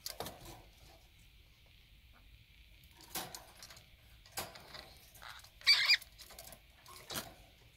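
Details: Mated conures quarrelling while bathing in drinking water, 23 February 2019: one brief, raspy squawk late in the clip, among scattered splashes and clicks.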